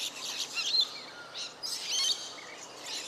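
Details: Wild Rainbow bee-eater in Cairns, Australia: two bursts of high, rolling, buzzy trilled calls, the second longer and fuller, separated by a short pause, over a faint steady hiss.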